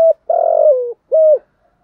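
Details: Lure spotted dove calling to attract wild birds: the tail of one note, a long buzzy coo that drops in pitch, then a clean steady closing coo, all low and mellow.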